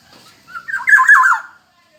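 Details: Black-naped oriole calling actively with a single harsh, scratchy, descending call of about one second that rises from quiet onset to a loud rasp.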